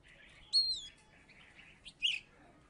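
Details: Former third-place contest Oriental magpie-robin from Salatiga: a bright sustained whistle dips and curls, soft chattering notes follow, then a sharp, scratchy phrase near the end.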